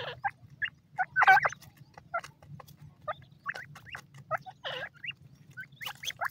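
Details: Grey francolin chicks giving short, thin rising peeps and squeaky chirps in scattered bursts, a few louder harsh squeals among them, over a constant low droning hum.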